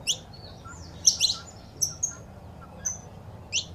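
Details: Saffron finch female calls and male song, a recording for rousing caged birds. Sparse, thin high chirps and short whistled notes with long quiet gaps, over a soft low hum.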